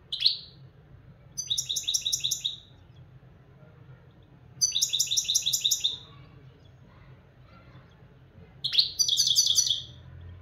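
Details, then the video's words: Local European goldfinch singing in bursts of rapid, high, buzzy-tinkling trills, each a second or so long, with one short sharp upslurred note before them. Four bursts come over quiet gaps, with a low hum underneath. "مقنين حسون بلدي"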